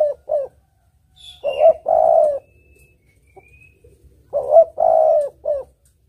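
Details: Tekukur, the spotted dove, singing for luring: repeated three-part cooing phrases, a short rising note, a long level coo and a brief closing note, with a faint high whistle from another bird.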